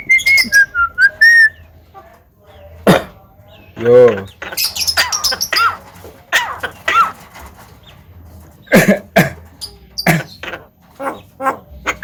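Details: Pet Javan myna kept at home, a talented mimic said to cough, laugh and call out to girls, gives descending whistles, a nasal harmonic honk and bursts of harsh squawky chatter between short pauses.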